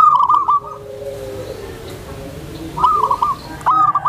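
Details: A tame zebra dove, kept to draw in other zebra doves, gives a brief run of quick cooing notes. Faint low sound fills a pause before two more short clipped phrases.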